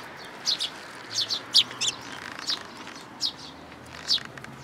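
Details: Young sparrow begging to be fed in a plum tree, Tenmangu shrine, June 2022. It gives scattered, thin, high chirps, some in quick pairs, with pauses of up to a second between bursts.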